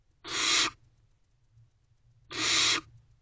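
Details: Nest box barn owl owlet, unedited wild family, making two drawn-out rasping hisses about two seconds apart, each a dense noisy burst lasting roughly half a second, quiet box sounds between.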